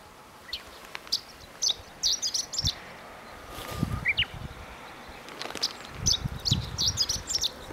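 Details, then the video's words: A chestnut-eared bunting sings on the Kirigamine highland, giving short bursts of high, scratchy chirps and twitters in quick phrases, with a Japanese bush warbler also calling, plus wind and low rustling. "ホオアカ 囀り"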